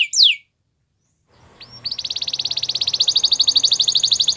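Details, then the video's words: Belgian canary, a white bird, opens with a quick falling note, goes quiet for about a second, then gives a couple of upslurred notes and a long fast pulsing trill of repeated chips. "White Canary Singing In The Wild | Belgian Canary"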